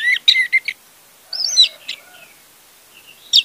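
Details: Orange-headed thrush song played to coax a silent bird: a choppy series of whistled notes, then softer, echoing slurred phrases and a closing bright whistle.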